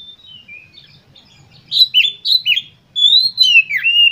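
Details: Emotional Oriental magpie-robin song used to provoke other magpie-robins; after soft opening notes come loud, short slurred whistles in quick succession and a long drawn whistle that dips and levels off, over faint low background rumble.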